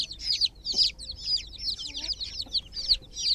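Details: Several chicken chicks in a water pool, described as groggy, give a quick run of sharp, high cheeps, some loud and close, in an irregular patter.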